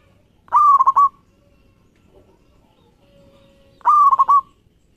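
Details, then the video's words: Zebra dove of a local strain, its song played as a lure for other doves. Two phrases about three seconds apart, each a short rising coo followed by quick staccato pulses on a steady pitch. "Suara Perkutut Lokal Gacor Pas Buat Pancingan"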